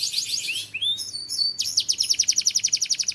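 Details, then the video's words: Belgian canary singing: a dense high trill, then rising whistled slurs and a short pause, followed by a rapid, even rattle of sharp notes repeated about four times per second. "Belgian Canary Singing"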